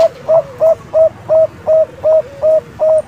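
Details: Zebra dove song from a young Bangkok-type bird, used as a lure for other zebra doves: a clean series of short, even, mellow notes, about eight in three seconds, over a quiet background.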